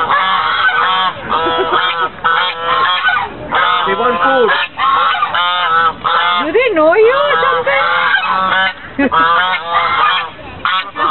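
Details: White geese at a lake in Fremont, California, on 24 November 2013; a noisy chorus of loud, nasal honks, some notes bending up and down in pitch, sustained almost continuously with short breaks.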